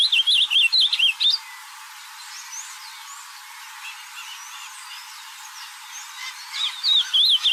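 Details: Ultramarine grosbeak singing in nature, with a short burst of quick wavering whistled notes at the start, a long quieter stretch of faint bird calls, then the warbling phrase resuming at the end.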